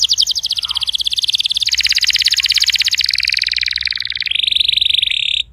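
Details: Canary song played to get a silent canary singing: an unbroken rapid trill with pitch steps and a buzzy overtone-rich texture, slightly noisy background.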